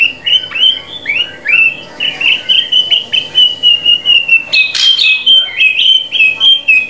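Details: Drongo singing, meant as training audio for captive birds: a long run of clear whistled notes repeated about four times a second at a steady pitch, briefly interrupted by a harsh, bright burst before the whistles resume.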